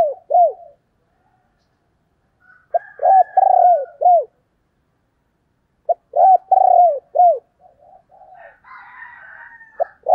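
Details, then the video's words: Female spotted dove, 'thổ đồng' voice, used as a lure for wild males: two clear bursts of mellow hooted coos, each a long note followed by short falling syllables, with quiet softer murmurs near the end. "tiếng cu mái"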